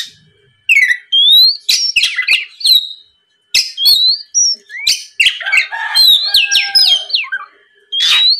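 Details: Lure song of an Oriental magpie-robin meant to provoke a rival: after a short silence, quick varied whistles, rising slurs and scratchy notes, with a second pause midway before the phrases resume.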